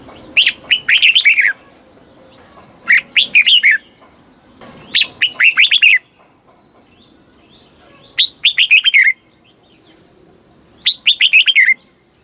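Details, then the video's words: Caged red-whiskered bulbul in Thailand repeating its southern master style song, used to excite caged birds and train youngsters: five bubbly phrases of clipped, descending whistles, one roughly every two and a half seconds, against a quiet background. "เสียงนกกรงหัวจุก ร้อง ริก เปิดให้นกฟัง ยั่วให้นกคึกจัด Chao mao hot"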